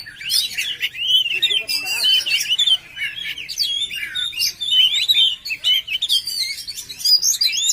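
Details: Oriental magpie-robin singing a rich, continuous song of varied whistled phrases, rising and falling warbles with sharp chips and slurred notes, loud and close with almost no background noise.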